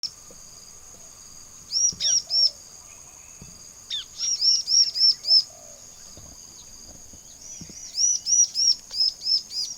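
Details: Bar-winged prinia, known locally as ciblek or prenja, singing loudly: three bursts of high, arched chirps repeated rapidly in quick runs of three to seven notes, separated by pauses, over a steady thin high hum and faint low background noise.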